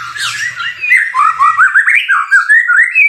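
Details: Caged white-rumped shama, a fighter-type bird, singing a loud hard-hitting song: a rapid series of rising, slurred whistled phrases with sharp upsweeps, repeated quickly, with faint low thumping underneath.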